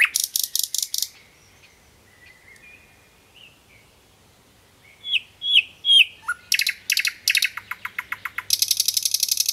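Common Nightingale singing: rapid rattling trills, a pause, then thin drawn-out whistles, rich liquid slurred notes and fast buzzy churring bursts.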